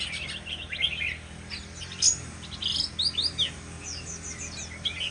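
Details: Shama singing a varied run of bright whistled and chirping notes, several sharp upward and downward sweeps in quick bursts, with a steady low hum behind.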